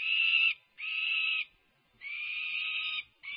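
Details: Peregrine falcons during a feisty feeding frenzy with tugs of war at the nest: long, harsh, drawn-out wailing screams, each lasting about a second, repeated with brief gaps, with no other sounds heard.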